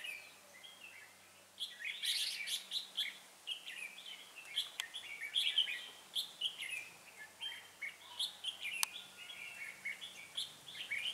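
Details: Red-whiskered bulbul decoy bird used for trapping, giving a fighting song: bursts of bright warbled and chattering phrases, repeated with short pauses, plus a couple of sharp clicks and a faint low hum.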